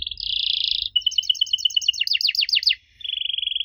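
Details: Canary song used as a lure to prompt young canaries to answer: a buzzy steady trill, then rows of quick two-tone pulses, a burst of fast downward sweeps, and another steady buzzing trill.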